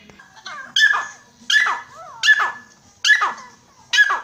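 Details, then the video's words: Grey francolin giving loud, harsh calls with gliding, wavering notes, each burst repeated roughly every three-quarters of a second, five bursts in a row, close and clear against little background noise. "Dakhni teetar ki Awaz"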